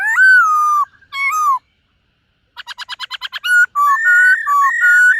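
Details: A white-cheeked laughingthrush sings during morning voice practice, long slurred whistles, a pause, a rapid clicking rattle, then level whistled notes alternating in pitch.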